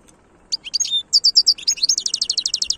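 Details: European goldfinch singing in the khloui style: after a short pause, quick twittering notes give way to a fast run of bright, evenly repeated high chips, all clear against a quiet background.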